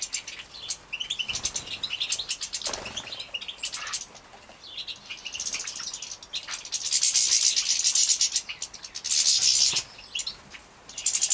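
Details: Several young captive-bred European goldfinches at lunchtime in Poland, 2017, chirp in quick high twitters, then break into two long, loud, hissing waves of begging, with light rustling between.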